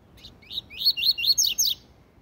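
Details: Tui tui zel zel song of a double-collared seedeater, meant for training young birds: a quick run of about seven bright, high slurred notes, the last ones sweeping steeply downward.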